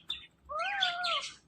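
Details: A pet talking rose-ringed parakeet, which also imitates "meow", gives one drawn-out, meow-like vocal phrase that rises then falls over about a second, after a brief sharp click.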